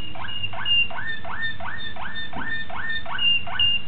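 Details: Young Malinois Waterslager canary from 2009 giving a series of rising, slurred liquid notes repeated about every third of a second, with faint higher whistles above and a low hum beneath.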